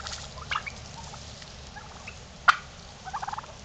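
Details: Strutting domestic turkeys owned by the recordist; after a few soft notes comes one loud sharp call, then a quick rattling run of rapid pulses near the end, over a faint low hum.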